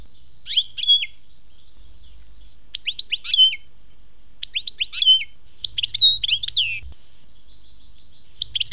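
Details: European goldfinch singing in the khmis melyana style: bursts of bright, liquid twittering notes with quick upward and downward slurs, delivered in short phrases separated by brief pauses, with a faint low hum underneath.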